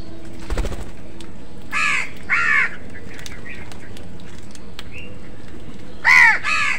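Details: Crows fighting other birds for food: two pairs of harsh, nasal caws, each pair a quick double, separated by a few seconds, with a brief knock early on and steady low background noise.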